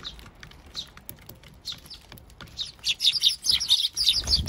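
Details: Eurasian tree sparrows, adults feeding chicks at a bird feeder in Japan, June: bright chirps with a quiet, scattered start, then a dense run of overlapping chirps in the last two seconds.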